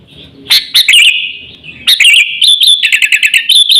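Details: Sooty-headed bulbul in full voice, used as a lure call for attracting birds and as a tutor for training pet birds: loud, bubbly, warbling notes that slide and pulse at mid-high pitch, with a faint rumble at the start.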